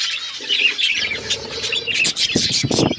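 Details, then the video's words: Several pet budgerigars chirping and chattering, busy high warbles and short squawks with wing flutters and soft low knocks toward the end. "Budgies chirping sounds and budgies talking"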